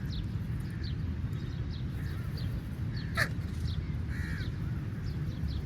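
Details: Angry crow feeding on meat; one faint harsh caw stands out briefly near the middle over constant low rumbling background noise, with a sharp click and scattered faint chirps of small birds.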